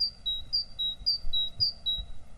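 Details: Great tit (Parus major), song.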